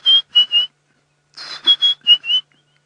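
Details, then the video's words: Near a waterhole on the western fringe of Kruger National Park, South Africa, on a balmy 26 °C afternoon, 15 August 2016 around 3 PM, a White-browed Scrub Robin gives clear, high whistled notes in two short bursts of three, then five quick phrases. "There's a white-browed scrub robin calling."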